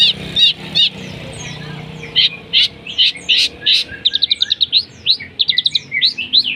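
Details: Long-tailed shrike performing mimicked sparrow-fight and lovebird material as a lure: scattered sharp chirps that speed into a fast, rattling series of clipped notes, with low background hum.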